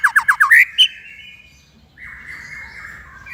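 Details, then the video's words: White-rumped shama song used as a training recording for young shamas and ones that stopped singing: a quick run of four rising whistled notes, a high squeak, then a long steady whistle after a pause. "MASTERAN MURAI BAHAN DAN MURAI MANDEK ( shama bird singing )"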